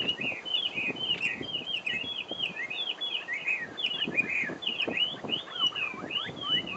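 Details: Hwamei, endemic to Taiwan, delivers a long, varied whistled song of quick slurred and looping notes in a continuous flowing stream, some phrases repeated; background noise is steady and soft.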